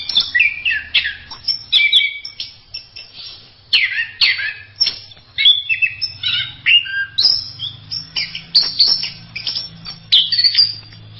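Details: Orange-headed thrush, called anis merah, pouring out masteran song: repeated high whistles, chips and quick warbled phrases in irregular bursts, with a steady low hum underneath.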